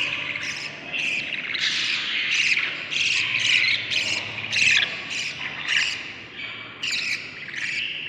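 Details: Inside a budgerigar nest on day 38, seven chicks from one clutch: irregular bursts of harsh, high squeaky chirps rising and falling in loudness, with brief gaps between clusters.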